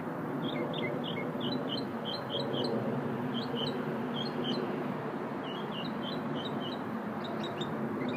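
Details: Little unidentified singing bird during a lunch break: short bright high chirps in quick pairs and clusters, repeated through the phrase against a constant low rumbling background.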